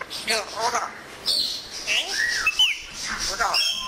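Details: Pet African grey parrot, a talker of Urdu and Pashto words, alternating throaty speech-like mimicry with clear rising and falling whistles.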